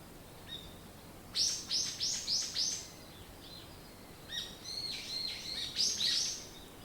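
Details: Birds twitter in the morning: two fast runs of sharp, high, evenly spaced chirps, each with four or five notes in quick succession, separated by a pause, with faint hiss.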